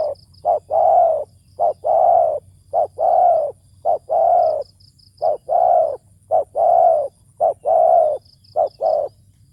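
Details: Spotted dove used as a decoy for luring, noted for a deep, big voice; a steady run of mellow coos, short notes alternating with longer drawn-out coos, roughly one per second, over a low hum with faint thin high notes.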